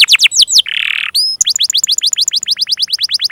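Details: Canary lure song for non-singing and young canaries: a few sharp descending notes, a short buzzy rasp, a clear rising whistle, then a brisk series of repeated slurred chirps at several per second.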